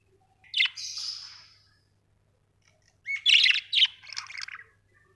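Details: Budgerigars with a harsh drawn-out squawky call, then after a pause a busy burst of scratchy chattering warbles, a faint low hum beneath.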